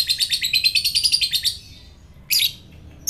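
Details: Lovebird giving a fast, rhythmic high chatter of quickly repeated notes, then a brief pause and one harsh burst, used to provoke fighter lovebirds.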